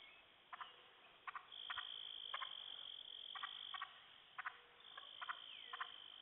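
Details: Wild turkey hens alarmed by a poacher's repetitive calling from a hill toward the sunset: short harmonic, clucking notes in pairs and bursts about once a second, over a steady high insect drone.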